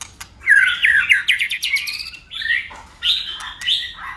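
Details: White-rumped shama in contest singing, flicking its tail and constantly switching voices: a rich, rapid warble of sweeping whistled notes and trills, with bright rising phrases, a brief pause, then more varied fluting phrases.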